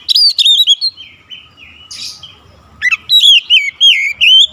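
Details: Kacer (Oriental magpie-robin) song: quick loud whistles open, softer warbled notes follow, then a lively run of sweet, looping whistled phrases rising and falling several times a second.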